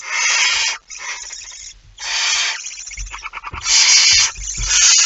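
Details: At the nest with a mouse on 23 September 2019, a barn owl alternates long rasping hisses with a broken, stuttering stretch of short scratchy pulses before loud hissing resumes.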